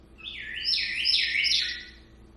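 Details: An African Congo grey parrot at home imitates the house door alarm that sounds when someone comes in or goes out, giving bright, electronic-sounding stepped, rising and falling whistled tones; nothing else is heard.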